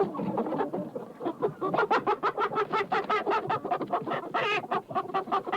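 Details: Many chickens inside a hen house, overlapping short clucks and murmuring calls in a steady busy chatter with no pauses.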